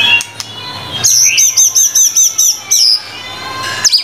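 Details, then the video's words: White-rumped shama (murai batu), singing hard: a very high, rapid series of about eight to nine looped chirping notes repeated evenly, followed by a brief pause and a final high flourish. "MURAI BATU GACOR FULL 25 MATERI MASTERAN MEWAH 100% MASTERAN MURAI BATU PALING AMPUH GACOR BANGET"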